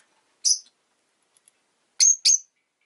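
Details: Rosy-faced lovebird chirping: one sharp high chirp, then a quick pair of shrill whistled chirps with a slight downward sweep, in quiet surroundings.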